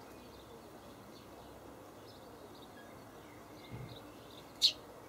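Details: Juvenile Eurasian tree sparrow in an allotment garden in Hamburg on 17 May 2012, a blue tit also present: faint distant twittering, then one loud, short, sharp chirp near the end, over a steady low hiss and brief rumble.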